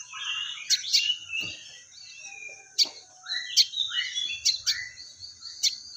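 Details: Sogon, or crested jay, performing fighting-sparrow material: bursts of squeaky high chirps mixed with short downslurred whistles, arriving in irregular clusters with brief pauses between them.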